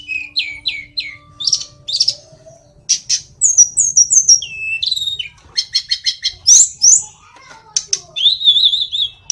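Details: High, lively song of a tledekan gunung mixing short chirp series, bright whistled slurs, rapid trilled notes and a wavering whistle at the end, over a faint low hum.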